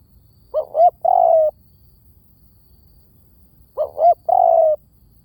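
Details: Spotted dove calling as a lure: the same three-part phrase twice, two short rising notes then a drawn-out soft coo, repeated after roughly three seconds of silence.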